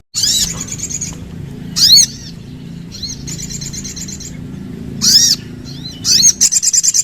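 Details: Sooty-headed bulbul giving bursts of sharp, high arched whistles with overtones, separated by pauses, ending in a rapid run of ticking notes; a steady low hum lies underneath.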